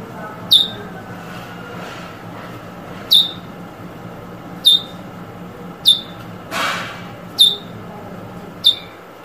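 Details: Eurasian Bullfinch giving 'drawl' and 'weet' calls, recorded in 2022: short, sharp, high notes that drop quickly in pitch, spaced irregularly every one to two seconds, over a soft steady background hiss.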